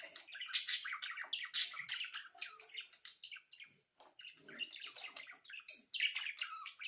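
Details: Chattering song of budgerigars, a fast stream of twittering, buzzy and squeaky notes with one brief gap midway before the busy warble continues.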